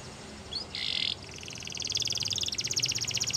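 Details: Distant-sounding canary song behind steady hiss: a brief harsh buzzy burst, then a rapid pulsed trill building in loudness toward the end.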